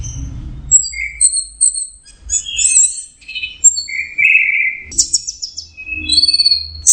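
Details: Orange-headed thrush, locally anis merah, delivering varied 'teler' style song full of mimicked phrases: high thin whistles, buzzy mid-pitched bursts and chattering trills in quick succession, with a faint low hum.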